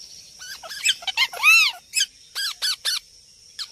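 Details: Talking green ring-necked parrot, a rose-ringed parakeet, giving a varied run of arched, harmonic-rich vocal syllables with quick rising and falling pitch, spaced unevenly with short gaps between, in a quiet setting.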